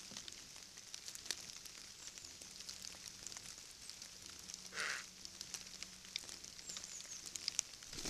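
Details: Eurasian jay in the Eifel, Germany: a single harsh, rasping screech, brief and noisy, midway through, over a steady background hiss and faint crackling.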